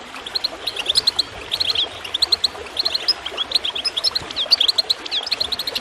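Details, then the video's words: A goldfinch chirps in fast, sharp, high twitters, roughly 95 notes a minute in uneven clusters, set over faint gurgling water as a recording to get birds singing. "Water gurgling with goldfinch chirping to encourage birds to song"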